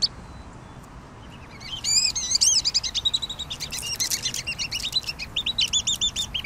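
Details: Pygmy nuthatch after a near-silent start bursting into high twittering chatter, with quick rising and falling squeaky notes running together for several seconds.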